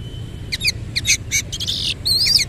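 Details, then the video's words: Oriental magpie-robin in full, lively song in the 'nembak ngerol' style, spreading its tail: quick bursts of harsh, buzzy chattering notes in short clusters, then a longer rising and falling trill. A faint steady tone sounds early, with low background rumble. "KACER GACOR NEMBAK NGEROL FULL BUKA EKOR"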